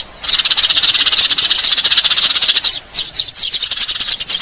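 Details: Eurasian tree sparrows used as a lure: a sudden start of dense, shrill chirping from a group, with a brief break before the overlapping chatter resumes.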